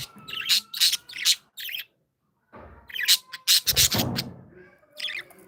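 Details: Cheerful pet budgies giving rapid raspy chirps in quick runs, pausing briefly, then resuming with a denser burst of scratchy notes and soft low rustling.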